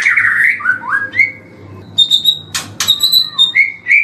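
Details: White-rumped shama in a long morning tutor recording: sweet slurred whistles rising and dipping, then a stretch of short high piping notes and a couple of sharp upward-swept calls.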